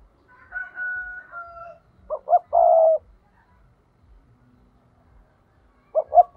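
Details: Spotted dove 'thúc' lure call used in trapping: a high steady whistled tone from another bird first, then the dove's two quick coos and long purring coo, and a new phrase starting at the end.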